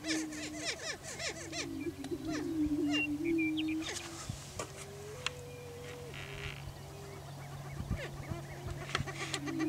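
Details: Greater prairie chickens display for breeding territory on a Washington County, Kansas lek. Low hooting notes and scattered cackles come at the start, then fainter rising moans follow over a steady low hum.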